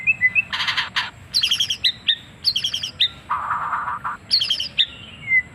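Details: Varied, unusual singing from a white-rumped shama: rising whistles, harsh raspy bursts, bright chattering note clusters, and a low buzzy phrase, all mixed in a fast sequence.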